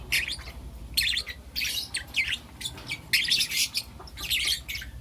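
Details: Young lutino lovebirds, four of them, chirping in the morning: a few loud clusters of scratchy high tweets separated by quieter stretches of roughly half a second.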